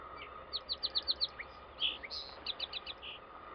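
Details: A song sparrow at Yaquina Bay, Oregon, sings a bright phrase of about six quick, crisp, high notes, then a buzzy note and jumbled chips, over a low steady background hum.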